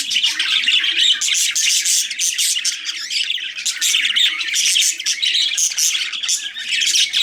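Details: Several budgies give nonstop chatter: harsh squawks mixed with rapid chirps and twittering, bright and high, barely pausing, the overlapping voices forming a busy wall of sound over a faint low background hum.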